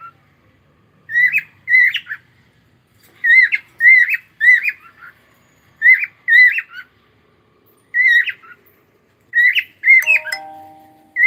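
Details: Pet cockatiel giving loud harmonic chirps in pairs and short bursts, each note rising then falling, groups repeated about every one to two seconds with brief pauses; a sharp click near the end.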